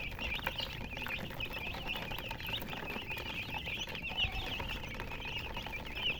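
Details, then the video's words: Many chicks chirp together in a busy, unbroken flock chatter of quick, high-pitched peeps, some rising and falling, over low background noise. "MURGI Baby "Chicks Chirping" Sound"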